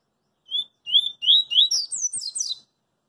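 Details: Double-collared seedeater singing in the street: a phrase opening with clear whistled notes near the low end that slur upward, then speeding into a rising, twittering run of higher, sharper notes, about two seconds long.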